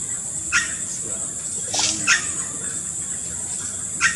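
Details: Chestnut-headed Oropendola at Rana Roja Lodge, Tortuguero, Costa Rica, 24 May 2018, giving gurgling, liquid song with three sharp wing-rattle bursts a couple of seconds apart, over a steady high insect hiss.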